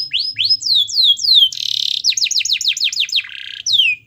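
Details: Canary in full lively song, used to encourage a silent canary: repeated falling whistled notes, a buzzy rattle, quick descending slur series and a lower buzzy roll, ending with another falling whistle.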